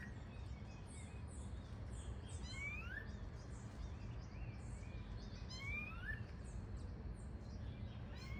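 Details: Free-living Variable oriole (Xexéu de Bananeira) in its habitat giving upward-sweeping whistles in two phrases several seconds apart, amid a busy chorus of high, thin chirps from other species and low background hum.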